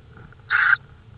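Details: Tawny owl at night in Estonia, 5 May 2013 at 22:30: a single harsh, hoarse burst lasting about a third of a second, clear above a low background hum.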